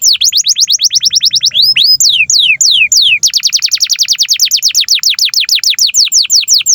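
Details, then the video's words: Canary song used to master young and silent canaries: long runs of rapid, regular downslurred whistled notes, several per second, broken by a few slower sweeping notes. "SUARA BURUNG Kenari GACOR PANJANG INI Cocok untuk Masteran KENARI PAUD dan Kenari Macet BUNYI"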